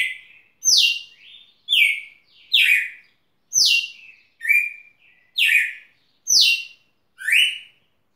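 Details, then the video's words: At Rio Grosso, a red-cowled cardinal delivers a steady run of ringing whistled notes, some falling steeply and some rising, several followed by soft short tails, with a quiet backdrop. "Galo de campina cantando"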